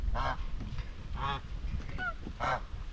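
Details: Farm-kept white Chinese geese in social talk while grazing: three loud, brassy, nasal honks spaced about a second apart, with softer squeaky calls between them and low background rumble.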